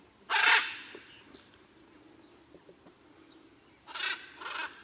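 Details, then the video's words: Blue-and-yellow macaw giving one loud harsh, raspy squawk near the start, then two shorter, softer squawks about three seconds later, over a steady high-pitched whine and quiet background. "Ara Ararauna's Melodic Calls"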